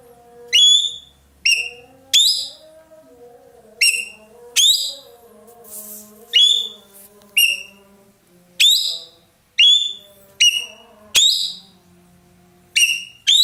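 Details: Racket-tailed treepie (ekek keling) in Indonesia, a loud, melodious bird kept by songbird keepers as a tutor, calling actively: loud, ringing, sharply descending notes repeated about every second, over faint lower whistled tones and hum.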